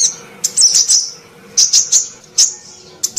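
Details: Female sunbird lure call for coaxing non-calling males: separated clusters of piercing high chips, each group of two or three sharp notes spaced by short silences, with faint background hiss.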